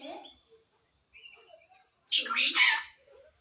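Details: Pet parrot talking, saying Assamese phrases such as "ki korisa", "hello" and "o kaka". Soft scattered chatter gives way to one loud, harsh, speech-like burst lasting under a second, then quiet mumbling in a still room.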